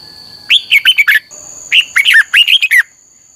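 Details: Red-whiskered bulbul song used to train other birds, two quick phrases of bright, liquid warbling notes that swoop up and down, each phrase about a second long, over a faint steady high whine.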